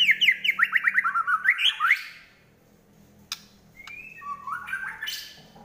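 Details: White-rumped shama singing to fight: a rapid string of about a dozen sharp sweeping notes, a pause, then softer whistled rising notes.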